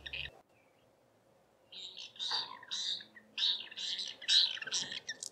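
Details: At dusk, a pair of White-rumped Swifts roosting in a taken-over Lesser Striped Swallow's nest give harsh, buzzy twittering bursts, high-pitched and repeated in quick succession after a brief quiet start.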